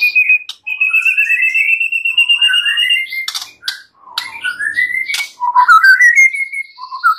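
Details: White-rumped shama song used as a training lure: long clear whistles that rise and hold steady, sharp clicks, then a series of rising slurred whistles climbing one after another.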